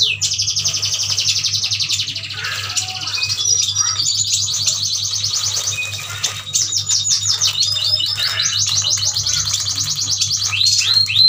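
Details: Caged yuhinas from Kalimantan, bought in a group, chattering energetically: long stretches of high, fast twittering and repeated sharp downslurred notes, several birds overlapping, over a faint steady low hum.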